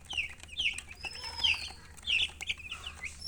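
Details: Chicks chirping in loud bursts of sharp, high, falling peeps, with brief pauses between clusters and a faint thin whistle in the background.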